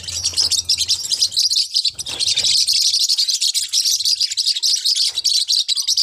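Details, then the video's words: Small Forpus parrotlets chirping: bright, high, tightly packed tweets that continue throughout, with a faint low hum in the opening second. "เสียงนกแก้วฟอพัส เพราะมาก"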